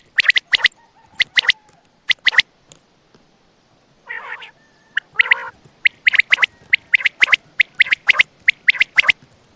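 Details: Quail calling at night near Attock: short, sharp, clipped notes in quick pairs and triplets, about once a second, with a brief raspy squawk partway through.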